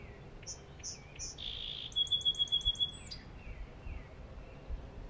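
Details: A wild Song Sparrow in a tree sings three clear, high introductory notes, then a buzzy note, a quick rattling trill and a few lower slurred notes, over faint background hiss.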